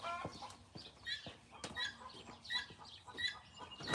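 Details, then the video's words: Guinea hen on a farm in Pennsylvania: repeated harsh, ringing calls in irregular bursts about once a second, with clattering and background farm noise. "That's a guinea hen, by the way. You hear that noise?"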